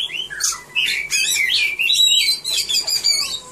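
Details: Oriental magpie-robin, a caged contest singer, delivers a rich varied run of whistles, trills and slurred notes, continuous and loud with quick changes of pitch.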